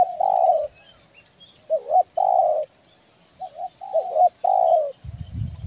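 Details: Belah dada spotted dove from Kepri, Indonesia, a lure recording of an actively calling bird: mellow hooted coos in pairs, a short wavering note then a longer drawn-out coo, with a low rumble at the end.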